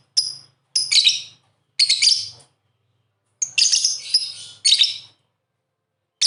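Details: A pair of pet lovebirds playing together, chattering in rapid bursts of high, squeaky, scratchy chirps, each burst half a second to a second long, with short pauses between.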